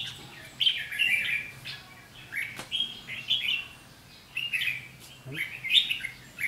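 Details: Fighting 'ché' song of a red-whiskered bulbul challenging a decoy at a trap on 7 July 2016: bouncy warbled phrases repeated roughly every second, one sharp click midway, over a faint low hum.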